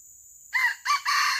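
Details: Crow of a junglefowl during a traditional luring session to catch wild birds alive: three harsh, rasping syllables in quick succession, the last held longest, with a continuous high insect whine before and throughout.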